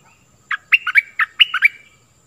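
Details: Stripe-throated bulbul lure song, also used to teach young birds: six to seven clear, bubbly notes in a quick uneven pattern, pitch swinging up and down, ending with a short trailing tone.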